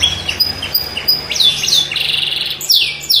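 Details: Atlantic canary (kenari) delivering a long, unusual song: short chirps, then loud sweeping downward whistles in series, high and bright, over a faint low hum.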